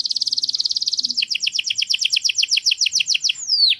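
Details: Garden canary giving a dense buzzy trill that breaks into evenly spaced doubled chirps, ending in a steep falling whistle; faint low background hum.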